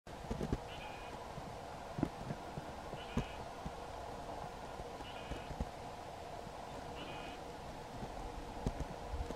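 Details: A trumpeter finch sings short, nasal, buzzy toy-trumpet notes, one about every two seconds, over a steady background hum and low rumble.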